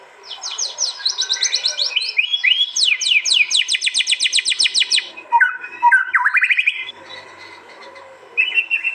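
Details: White-rumped shama singing fierce contest phrases in East Java, recorded on an Android phone and combined into a training track: fast runs of sharp rising whistled notes, then lower scratchy phrases, a short pause and a brief high trill.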